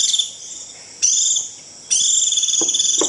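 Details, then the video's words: Japanese white-eye 'rít' flock call for attracting wild birds: brief bursts of high, pulsed buzzing trills separated by silent gaps, with soft clicks toward the end. "Tiếng chim vành khuyên rít √ siêu gọi bầy cực kỳ nhậy gọi là về"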